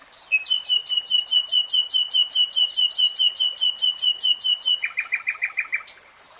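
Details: Common nightingale in full song: a long, fast series of about twenty-five loud, sharp whistled notes, each with a high click. It drops into a short run of lower repeated notes, then a pause.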